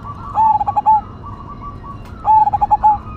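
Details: Kept zebra dove of the cemani Majapahit type singing loudly: two strong coo phrases, each a rapid string of throbbing pulses closing on a longer note, separated by quieter higher coos from nearby doves.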